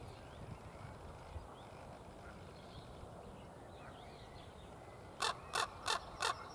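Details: A common raven in the Tegeler Fließ in June 2017 gives four harsh, hoarse calls in quick succession near the end, about three a second, over steady background hiss, faint distant bird notes and background music.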